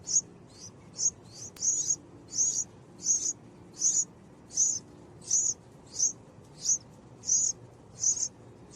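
Purple-crowned fairy giving very high, thin chip notes, one every half-second or so, about fifteen in a row, over a quiet background.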